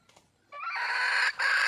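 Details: Red junglefowl calling for a mate: one loud, drawn-out harmonic call starting after a quiet half second, broken by a short gap, then continuing steady and clear against a silent background.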